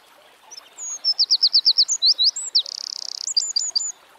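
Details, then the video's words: Eurasian wren (Troglodytes troglodytes) singing in nature: a loud, very high burst of about four seconds, opening with thin whistles, then a rapid row of sharp descending notes, a dense buzzy trill, and a few short closing chips. "Birds Singing - Eurasian Wren"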